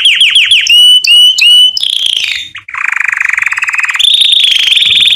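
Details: Canary song used to train chicks to sing: repeated falling chirps, bright whistled notes, then a long fast buzzy trill that steps up into a higher rolling trill.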